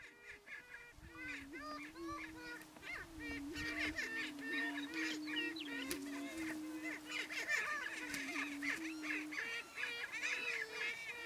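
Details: Two Greater Prairie Chickens spar and boom on a lek in the Nebraska Sandhills in April 2018 while waiting for females: low, hollow, moaning hoots, each held a second or two and overlapping steadily, with higher cackles and whoops mixed in.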